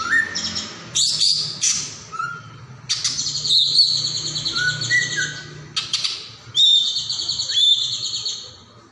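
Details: Caijo, the golden-bellied gerygone, in energetic song meant for tutoring other songbirds: bursts of high rapid trills alternating with short clear whistled notes, separated by brief gaps.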